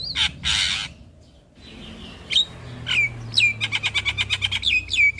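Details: Javan myna song used as a lure and master recording for young birds, full of varied phrases: two harsh rasping bursts, a pause, then sharp falling whistles and a fast run of about a dozen repeated clipped notes.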